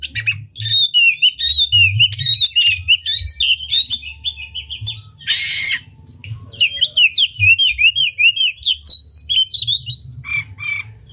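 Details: Oriental magpie-robin in energetic song with tail spread, used to stir rival magpie-robins; rapid repeated whistled and chattering notes in long runs, broken by a brief harsh noisy burst, then resumed fast phrases.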